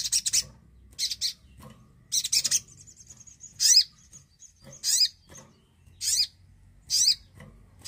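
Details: Javan cochoa singing, used as a lure to get silent birds to sing: bursts of high, rapidly warbled zigzag notes separated by gaps of about a second, with a wavering thin whistle mid-way and quiet low background rumble.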